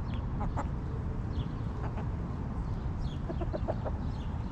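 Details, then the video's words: Soft, brief clucks from backyard hens resting in their coop come in loose clusters, with scattered high bird chirps and a continuous low rumble underneath. "Hens Clucking!"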